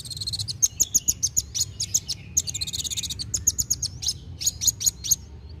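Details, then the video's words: Vigorous sunbird (kolibri wulung) song, used to stimulate young birds to sing: a nearly continuous stream of rapid, high, sharp chirps repeated several times a second for over five seconds, with a steady low hum behind. "KOLIBRI WULUNG GACOR NARUNG CEPAT MERANGSANG BUNYI BURUNG BAKALAN"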